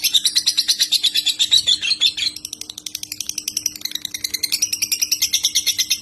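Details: Murai batu, white-rumped shama, delivering clear tembakan song for imitation: whistled rapid phrases for two seconds, then a long dry fast rattle that rises into bright high trilling, steady low hum in the background.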